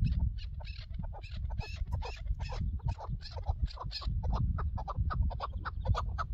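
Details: Chukar partridge recorded during a partridge hunt: rapid, dense runs of short clucking chuk notes repeated several times a second, over a heavy low rumble of wind or handling noise.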